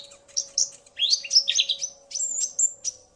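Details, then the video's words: Excited male common iora answering a female's call. Scratchy high chips lead into a loud, jumbled warble, then sweet drawn-out whistles falling slightly at the end, with a constant faint hum. "Burung Konin Pancingan EMOSI agar burung bahan gacor"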